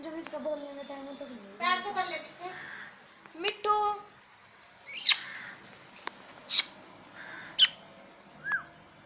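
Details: Talking parrot imitating speech-like phrases with harmonic, slightly rising and falling notes, followed by several sharp squawks and a short downslurred whistle, indoors.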